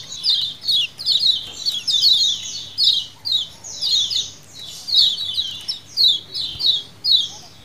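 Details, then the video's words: Lemon-bellied white-eyes (kecial kuning) giving colony 'ciakan' calls in a wild style, used as a lure: dense, overlapping high chirps sliding downward, in bursts about once a second, from several birds at once. "CIAKAN KECIAL KUNING KOLONI ALA ALAM BEBAS"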